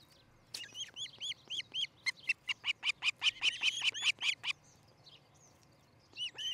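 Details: At an osprey nest in Charlo, Montana, early on a July 2018 morning, a bird gives rapid piercing chirps, loose at first, then about ten bright repeated notes, and a final short burst after a pause.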